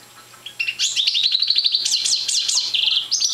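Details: A brief phrase from a young parva European goldfinch not yet in full song: rapid stuttering twitter rising into a jangling zigzag trill, then a thin sustained high note.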